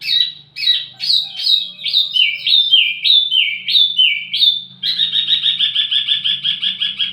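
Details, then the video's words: Wambi mini used as a lure and tutor for flowerpeckers: a series of sharp downslurred chirps about every half second, then rapid repeated chattering notes over a faint low hum. "wambi mini burung pancingan sekaligus masteran buat tledekan anda"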